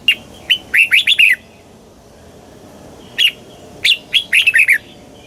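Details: Southern master-style song of a red-whiskered bulbul from Thailand, played to spur caged birds and teach youngsters; a few lone chirps lead into quick tumbling whistled phrases, then repeated after a short silence.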